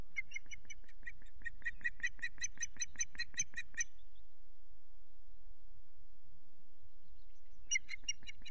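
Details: Unringed female osprey at the Loch Garten nest, calling for her absent mate, who does not return. Rapid series of sharp, clipped whistled chirps, about two and a half per second for nearly four seconds, then a pause and a fresh burst.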